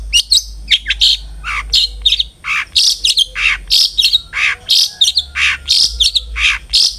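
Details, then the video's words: Long-tailed shrike song, played as a lure to get other shrikes singing: a steady stream of rasping, buzzy high phrases mixed with sharp chirps, about one a second, with a low hum underneath. "suara burung CENDET GACOR ampuh pancingan CENDET AGAR BUNYI"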